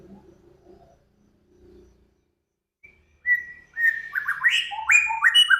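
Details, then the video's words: Song from a cage-bird master of Samyong, Kancilan Flores and Garugiwa. Soft low murmurs and a pause give way to a long whistle, then a rapid, energetic cascade of bright, slurred, up-and-down notes. "Burung Samyong, Kancilan Flores, Garugiwa Gacor"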